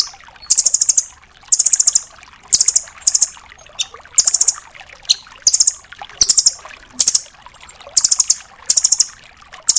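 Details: Nuthatch called rambatan doraemon, used as a master recording for training songbirds, delivering high, very fast trill bursts at roughly one per second, each about half a second long, steady and continuous throughout.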